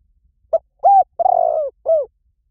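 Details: Spotted dove calling to draw in wild doves: a soft clipped note, a steady hoot, then a long tremulous coo sliding down and a short downward closing coo, in near silence.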